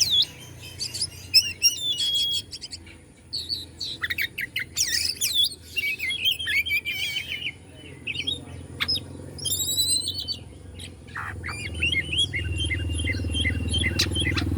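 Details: Oriental magpie-robin from Bandung, Indonesia, meant to provoke other magpie-robins: dense bursts of high whistles, buzzy trills and sharp chips, then a quieter stretch with rustling and low rumble.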